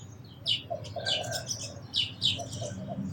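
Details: Dense, bright chirping from sparrows comes in bursts of two or three notes, with softer lower whistled tones between them and a quiet low hum.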